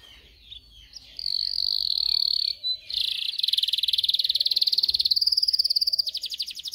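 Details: Canary song for training canaries to sing: a long, steady buzzing roll, a brief break, then fast pulsed trills that quicken into dense, rattling tours near the end.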